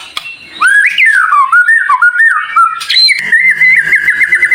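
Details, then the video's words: White-rumped shama whistling a high, sharp song fill meant to trigger other shamas to sing: a flowing wavering whistle rising and falling, then a sharp upward note and a steady trilled whistle. "Masteran Murai Batu cepat Buka Paruh | Suara Full Variasi Paling Dicari"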